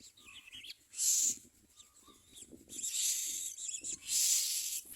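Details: Common myna chicks screaming for food while being fed: three loud, harsh, hissing bursts, the second and third longer, separated by quieter gaps with faint soft chirps.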